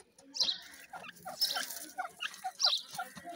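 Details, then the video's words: Iranian francolin during breeding: a few short, harsh, scratchy call bursts spaced about a second apart, mixed with lower clucking notes and background chatter. "pheasant birds breading irani teetar ki masti"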